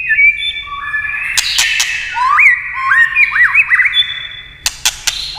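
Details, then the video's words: White-rumped shama, stimulated by tail-tapping clicks, gives long overlapping whistles and a series of looping upward-swept notes, with loud clicks near the start and end. "chòe lửa tạch đập đuôi cạch cạch kích thích chòe lửa hót"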